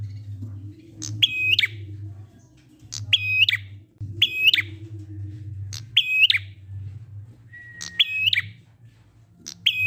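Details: Prinia singing ngalun style as a lure to get other prinias singing. Six evenly repeated phrases, each a crisp click, a flat ringing whistle and a clipped ending, roughly every 1.5 to 2 seconds, over constant low hum.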